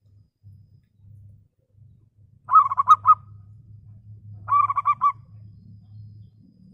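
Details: Lure song of a local zebra dove, used to call rivals: two rapid phrases of clipped, rhythmic coos about two seconds apart, over a steady low mechanical hum.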